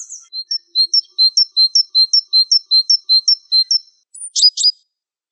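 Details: Masteran recording of a gelatik wingko: a run of about fifteen clean, high two-part notes, each a short whistle followed by a lower flat note, repeated steadily, then two sharp descending buzzy notes; otherwise silent.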